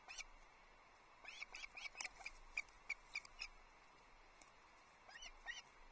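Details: Wild osprey pair at a nest at Loch Arkaig on 21 July 2023, early morning, as the male arrives carrying a headless trout for the waiting female and young; series of short, high, sharp chirps in bursts, with pauses between.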